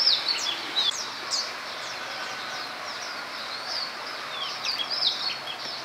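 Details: Common tailorbird feeding after rain: quick sharp high chirps and short downslurred notes, clustered at the start and again near the end, over a constant high hiss.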